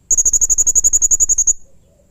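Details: Blue-crowned hanging parrot in loud, harsh, agitated calling: a fast, even train of about fifteen piercing high notes packed into under a second and a half, then silence with a faint low hum.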